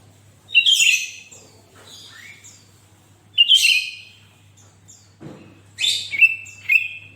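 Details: Gacor sooty-headed bulbul song used to set other bulbuls singing: three loud phrases of whistles and rough high bursts about every three seconds, with quieter chirps, a soft thump, and a final flat whistle.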